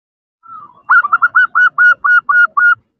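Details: ['Female zebra dove calling to a male: a soft introductory coo, then a rapid series of about nine clear, mellow cooing notes, evenly repeated and slightly descending at each end, with no other sounds.']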